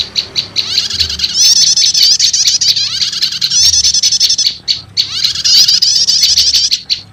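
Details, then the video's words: Prinia lure sound, a mix of two prenjak call types, meant to summon wild prinias: a few spaced high chips lead into long, piercing chattering trills, with a short break before the chatter resumes. "Suara Pikat Burung PRENJAK LUMUT Kombinasi Prenjak Setater"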